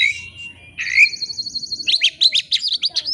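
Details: Oriental magpie-robin singing a rival-provoking lure: rasping notes lead into a long rapid buzzy trill, then a fast run of about a dozen sharp chirps, with a low hum beneath.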